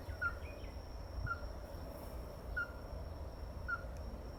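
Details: A ruddy-breasted crake gives four clipped, downward-sliding notes at uneven intervals of roughly a second, set against constant low-pitched background hum.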